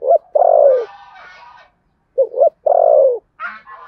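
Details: Spotted dove contest cooing in the Sấm Thổ voice. Two phrases each close with a long, downward-sloping coo, and a rough, noisy rustle follows the first phrase and the end.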